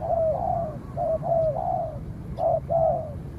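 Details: Close spotted dove cooing during a fight between a trained decoy bird and a wild dove. Three loud, hollow, slightly falling coo notes, then a pause and two more, over faint low background rumble.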